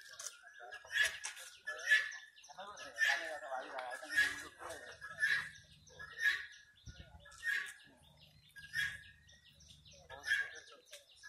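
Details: Pet turkeys playing give a series of short, harsh, yelping calls about once a second, each with a bright ringing edge, over a faint low background hum.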